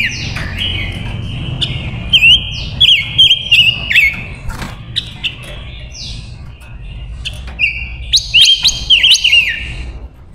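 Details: Female Silver-eared mesia, a decoy bird used to lure wild males, singing repeated warbled phrases around 2–4k with quick up-and-down twists, in two bursts separated by quieter chirps; low background rumble throughout.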